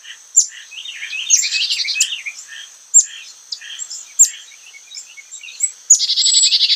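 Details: Carolina Chickadee gives high, thin chip notes followed by short bursts of harsh, buzzy 'dee' notes, twice within a few seconds; its chickadee call tends to have fewer 'dee' notes than the Black-capped's.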